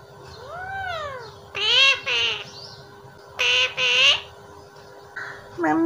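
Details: Pet parrot imitating human phrases like "Mummy what are you doing", "baby" and "I love you": a soft rising-falling whistle, then two pairs of loud, harmonic, word-like syllables with pauses between them, ending in a brief clipped call.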